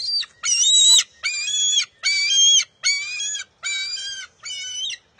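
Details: June 23, 2021, NCTC nest: a bald eaglet competes with its mother for a fish, giving loud, buzzy, even squeals about half a second long, repeated roughly every 0.8 seconds in a steady run.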